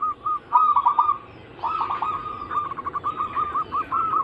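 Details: Zebra dove anggungan: a short coo, a loud rolling trilled phrase, a brief lull, then another rising burst of rolled notes trailing into a string of evenly spaced soft coos.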